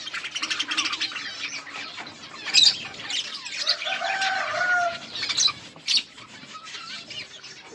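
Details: Budgerigars eating together in a colony, giving a busy stream of warbled chirps and squeaks with brief louder squawks near the third and sixth seconds; wing flutters and a few lower sustained tones mix in.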